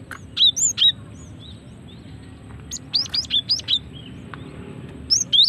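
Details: High, clear chirps from a female cinereous tit, intended for luring and for triggering song in males; short bright notes given singly and in a tight run of five near the middle, against a quiet steady background.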